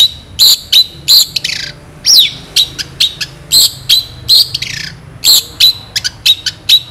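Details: Long-tailed shrike singing at full vigour as a tutor recording, rich in sharp, long, clear shots: harsh rasping bursts mixed with clear high whistles, repeated rapidly in quick runs of varied notes.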